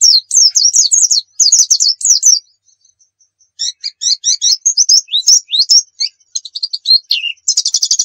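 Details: Dakun white-eye from Pacitan, a vigorous singer used as a tutor: bursts of high zigzag twittering, a brief near-silent gap, then mixed chirps and slurs ending in a dense high trill.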